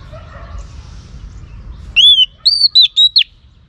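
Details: Female oriental magpie-robin singing to stimulate males: after quiet, a loud burst of four or five clear, slurred whistles, arching and dipping, packed within about a second.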